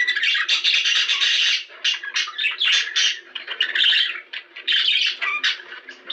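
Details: Chattering budgerigars, kept as pets, in a recording played to prompt mating: rapid squeaky warble in bursts, with several brief pauses in the second half.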